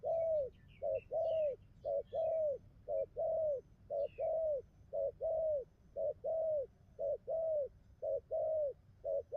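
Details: Spotted dove repeating bai ngoai coos very evenly, a short note then a longer rounded coo over and over about once a second; faint high chirps from other small birds early on.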